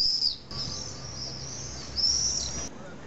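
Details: Common swift pair nesting in a retaining wall cavity in Nice, France, on a July evening as the mates return to roost; two short shrill high screams separated by quieter hiss.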